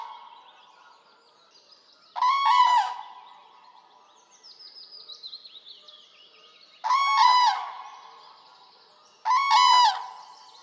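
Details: Common crane in Poland trumpeting three times, each a loud rolling burst spaced a few seconds apart, with soft high twitters of other birds in between.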